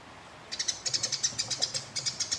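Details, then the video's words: Fighting house sparrow gives a fast, even series of scratchy chirps, about five per second, running without pause after a quiet start. "Burung Gereja Tarung Ngeroll Konslet Nyerecet Panjang Abis Memancing Lawan Agar Gacor"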